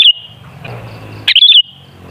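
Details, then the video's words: Sooty-headed bulbul, a lure call for bulbuls: the tail of one whistled phrase, then after a pause a single bright phrase of three or four rapid warbling notes, with a soft low hum between. "Suara Burung Kutilang Sangat Ampuh Untuk Pancingan Jadikan Kutilang Ngamuk Gacor"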